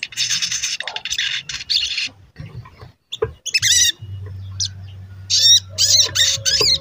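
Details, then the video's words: Crimson sunbird (sogon), a lure recording meant to make other sogon sing and grow agitated: harsh high chattering at first, then silent gaps broken by sharp, sweeping chirps and short scratchy bursts, with a steady low hum beneath. "Pancingan Sogon Agar Bunyi dan Emosi"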